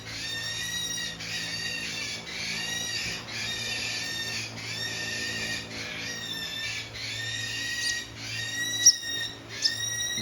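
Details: A 15-day-old hand-fed Green-cheeked Conure chick, noisy at feeding time, gives harsh, buzzy begging calls about once a second in a steady, insistent series, with faint music behind.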